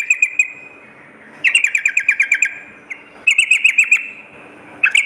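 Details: Sooty-headed bulbul at night, for boosting a caged bird's fighting mentality: tight bursts of rapid bubbly notes with sharp high ticks, each burst lasting under a second, separated by quiet gaps.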